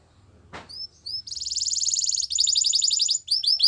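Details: Canary song opening with a soft click and a few thin rising whistles, then a dense buzzy rolled trill, a shorter rolled section, and a handful of clear arched notes.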